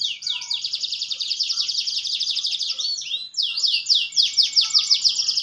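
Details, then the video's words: Canary performing goldfinch-imitation song with extended rolls and melodic turns: a long dense high trill for three seconds, a brief pause, then rapid repeated swooping syllables. "KENARI GACOR NGEROLL CENGKOK GOLDFINCH"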